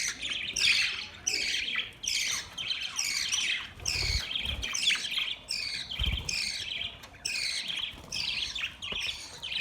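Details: Several budgies chatter in a steady run of scratchy, warbled chirps, repeated roughly every second. Soft low thumps are heard around the middle.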